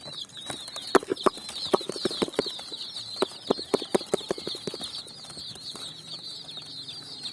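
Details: Colourful chicks on sand in the evening while looking for food: many overlapping thin, high chirps run steadily under frequent sharp tapping and clicking sounds.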